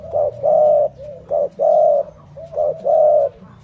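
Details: Mellow coos from a Malay-line spotted dove: three phrases, each a brief note then a longer even coo, spaced roughly a second apart.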